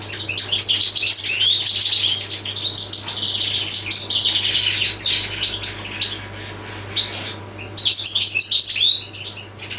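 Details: Passage goldfinch (jilguero del paso) in sustained song: rapid liquid twitters and chirps run almost without pause for ten seconds, briefly thinning near the seventh second before resuming, over a constant low hum.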